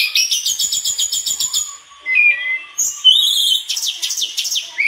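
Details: Mangrove blue flycatcher in gacor song, unloading isian material: a long fast rhythmic chatter, low slurred whistles, a clear arched whistle and a closing burst of rapid notes.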